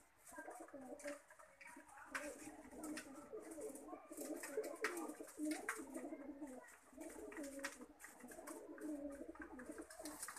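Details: Lakha pigeons cooing indoors: low, throaty rolling coos overlap almost continuously, with several birds calling at once and faint rustling and clicks behind.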